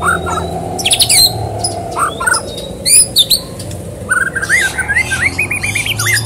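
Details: White-rumped shama singing hard as a lure to set other birds off: varied whistles and high chatter, ending in a fast, evenly repeated run of rising notes.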